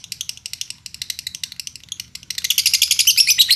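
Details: Pancingan lovebird song from Indonesia, used to spur other lovebirds to sing: short bursts of high chirps separated by small gaps, then a louder, denser run of rapid notes at the end.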